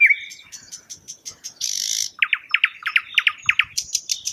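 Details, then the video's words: Thrush nightingale singing a varied phrase: a low whistled opening, thin high ticking notes, a harsh buzzy burst, then a fast series of loud, rich, clipped notes repeated about four per second, ending in high sharp notes. "Thrush Nightingale Bird Sound, Bird Song, Bird Call"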